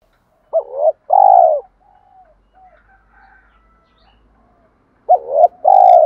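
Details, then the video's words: Spotted dove coos meant to provoke other doves to fight and draw them in. Two loud phrases about four seconds apart, each a quick wavering note followed by a longer, mellow, falling coo, with faint soft notes between. "thúc đấu và gáy gọi/ tiếng chim cu gáy kích bổi hiệu quả. tiếng cu đất kích bổi hiệu quả"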